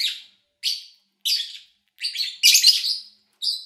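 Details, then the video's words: Pet lovebird recorded cleanly in August 2019 while its owner was away, little engine or human noise: six shrill, harsh chirps separated by short silences, the fifth a louder, longer rasping burst. "Sounds of Lovebird Chirping"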